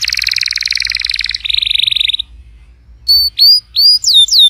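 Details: Canary song used to coax a quiet canary into singing: a dense, rolling double-toned trill shifting to a higher buzzy reel, a short gap, then spaced loud rising-falling whistles.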